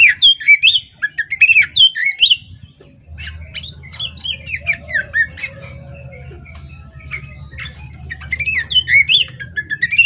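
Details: Female poci-type Oriental magpie-robin chattering with tail opened; loud looping whistled phrases open and close the passage, with softer scattered notes and a low droning hum in the middle.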